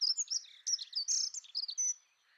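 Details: Dunnock, Prunella modularis, in a quick tinkling high warble of jumbled notes, about two seconds long, ending abruptly and followed by quiet.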